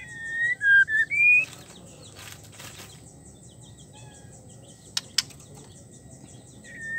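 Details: Female white-rumped shama in heat calling a male, opening with three bright whistled notes, followed by a soft flutter of wings and two sharp clicks, then a final whistle at the end.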